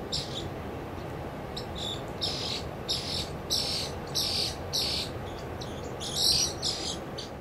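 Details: Pied kingfisher at Langue de Barbarie, Senegal, in April 2010, giving sharp, high chittering notes in quick bursts about twice a second, over a steady low rumble of background noise.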